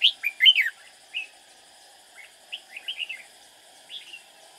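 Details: Red-whiskered bulbul singing as a trapping decoy to lure rivals; an energetic opening burst of loud chirps followed by softer spaced warbling phrases, faint hum underneath.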